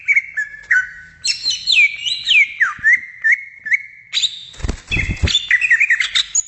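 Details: A greater green leafbird sings in the wild: a flowing run of rich whistles that swoop up and down and settle into a steady held note. A brief crackling burst follows, then more twittering slurred phrases.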